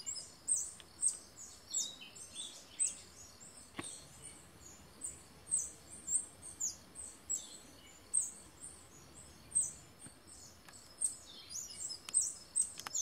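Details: A male Stripe-throated Hermit singing in a lek with at least six other males gives very high, thin squeaky notes in quick bursts about twice a second, over a quiet background hiss.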